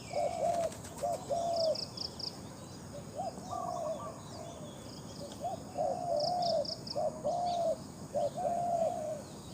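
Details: Spotted dove during competition calling: low, hollow coos in groups of two or three with brief gaps, some notes drawn out. Faint high chirping bursts and a steady insect hum accompany them.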